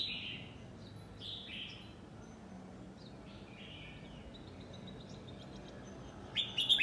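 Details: Nine-month-old red-whiskered bulbul singing in the 'lak wai' style: short, slurred whistled phrases sliding downward, spaced about a second apart and fairly faint, ending in a brighter burst of sharp notes, over steady low background hum.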